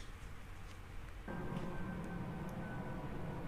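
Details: Low rumble that suddenly grows louder, joined by a steady tone like a passing train; no animal sounds.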